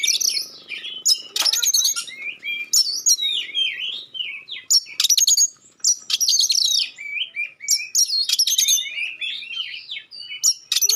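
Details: A magpie-robin's provoking song of sharp and clear notes: short harsh bursts alternate with rising and falling whistles, delivered in clustered phrases with brief pauses, in a quiet setting.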